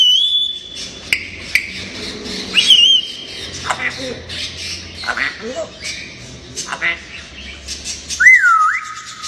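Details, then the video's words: A playful, talking grey parrot gives three clear, sustained whistles, one ending in a falling slur, between sharp clicks, squawks and soft chattering sounds. "ببغاء كاسكو لعوب ناطق"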